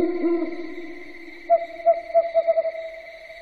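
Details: Owl calling after dark: a low droning hum fades, then a series of round hoots begins slowly and quickens into a fast trailing sequence, over a persistent high tone.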